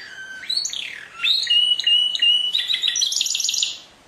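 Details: Canary song with rising and falling whistled slides leading into a sustained rolling trill and a high rapid chatter at the close.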